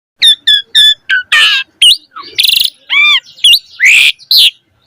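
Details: Young Javan pied starling singing loudly and energetically: a quick series of clear chirps followed by harsh rasping notes, rising and falling whistled phrases and buzzy bursts, with varied, rich content.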